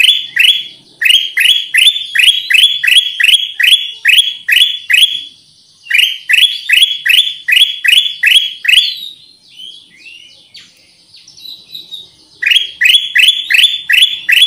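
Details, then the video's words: Lure recording of a black-crested bulbul, called kutilang emas or cucak kuning: long runs of sharp upslurred notes in rapid, steady repetition, broken by two pauses, one holding softer, thinner calls, before the rapid series resumes. "SUARA PIKAT AMPUH KUTILANG EMAS/burung kutilang emas gacor"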